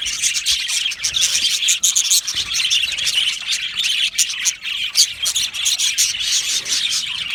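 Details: Australian budgerigars from an aviary colony sing and chirp happily, a continuous high twittering warble packed with quick clicks and chips from many birds.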